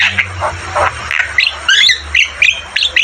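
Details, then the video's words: Javan myna singing hard, a tutoring recording for caged mynas: rough grating notes give way to a rapid series of short, harsh, squeaky syllables repeated several times per second. "Masteran burung jalak kebo gacor Terbaik"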